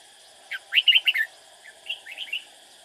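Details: Red-whiskered bulbul kept as a decoy while trapping, singing to attract rival birds: a loud rush of four or five ringing, up-slurred whistled notes, followed by a quieter, softer warbling phrase.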